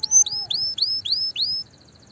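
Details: Canary song meant to spur other canaries into singing: five or six bright, rising whistled notes repeated at an even pace, with a faint lower tone beneath the first ones.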